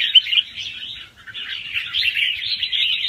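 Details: Young wild red-whiskered bulbul singing lightly in quick rounds with doubled phrases, used to excite other birds. Flowing whistled warble dips briefly, then resumes as a steady, bright chatter.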